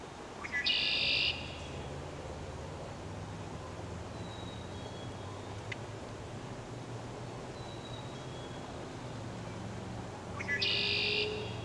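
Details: Red-winged blackbird giving its song twice, about ten seconds apart: a few short lead-in notes, then a harsh, buzzy trill, with a low steady rumble beneath and faint thin whistles between the songs.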